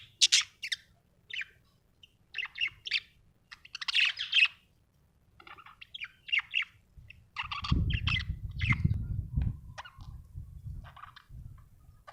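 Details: Cheerful budgerigar giving bursts of bright, scratchy chirps and twittering notes, with a low rumbling noise joining from midway to the end.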